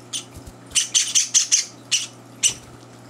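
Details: Java sparrow chicks at feeding time in a chaotic breakfast; a few scattered high chirps, then a short quick burst of four or five shrill notes and two later single calls against a quiet room.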